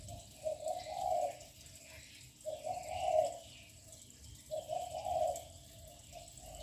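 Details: Young spotted dove with a loud voice cooing continuously, kept to provoke other doves into calling, gives low, soft, hollow coo phrases about every two seconds, with faint hiss and dripping water in the background.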